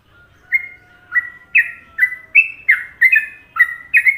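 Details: Sooty-headed bulbul, Indonesia, singing a masteran in the popular Trucukan rhythm. A faint thin whistle leads in, then clear, rich chirped notes follow at about half-second intervals, growing busier and doubled near the close.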